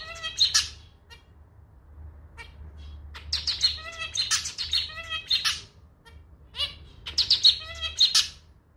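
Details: Male zebra finch, a pet bird, singing its own clarinet-style song, likened to a slightly out-of-tune little clarinet. Bursts of nasal, buzzy harmonic notes mixed with sharp high chirps come in three phrases separated by short pauses, over a soft low hum.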